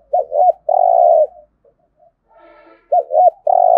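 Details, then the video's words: Spotted dove coo in the 'gù thổ' style for stimulating cooing: two arched notes and a long rough coo, a quiet gap with faint overlapping tones, then the same phrase again. "cu gáy Thúc Gù giọng thổ, tiếng chim cu gáy kích bổi hiệu quả gù thổ"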